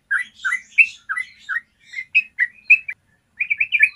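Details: Yellow-vented bulbul long trill, recorded to train birds: spaced, rich whistled notes about three per second, softer twittering between them, a short pause, then a quick bubbling flurry.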